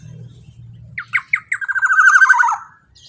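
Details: Black-naped oriole singing loudly, used to lure other orioles: a quick run of stuttering nasal notes merges into a drawn-out, grating, vibrating squawk that drops in pitch before stopping.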